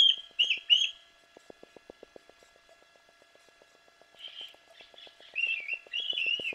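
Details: Young fledgling bald eagles below the Fraser Point nest on Santa Cruz Island, California, mid morning on June 24, 2024: three short, high, squealing calls, a pause with faint regular ticking, then a longer run of shrill, chittering squeals.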